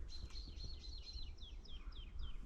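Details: A woodlark in a forest in winter, March 2024, sings a cascade of sweet, liquid descending whistles, several notes a second, like stairs going down, over a low wind rumble.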